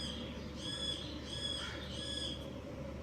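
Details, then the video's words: Budgerigars from a breeding pair, the Australian parakeet, make three raspy, squawking chirps roughly half a second apart against a steady background hum. "Amazing Budgies chirping sounds"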